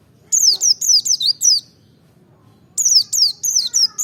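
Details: Two bright volleys of five or six steeply falling, piercing chirps from a Merapi forest-type white-eye, with a silent gap of about a second between them, recorded to trigger other birds to sing.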